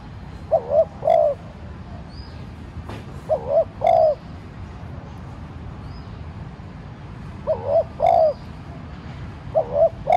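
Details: Spotted dove kept as a decoy, cooing to set wild doves calling. Four double-note coo phrases spaced a few seconds apart, a short rising note then a longer mellow one, over quiet outdoor background with faint chirps.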